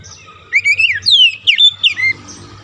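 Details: Caged white-rumped shama song used as a lure to get a stressed bird singing: a short phrase of rich whistled notes swooping up and down, with a steady low hum behind.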